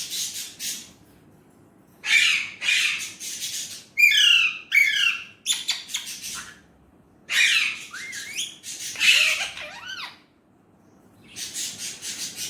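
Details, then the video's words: Indian ringneck parrot talking in Urdu/Hindi, a long run of harsh rasping phrases mixed with wavering, warbled syllables and quick clicky bursts, in several groups with short quiet gaps. "Indian ringneck parrot amazing talking parrot Mitthu || alexandrine parrot voice talking Urdu/Hindi"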